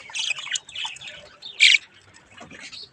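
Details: Pet parakeet chicks at a mirror give soft raspy warbling, then one loud sharp squawk, and quieter chirps trailing off.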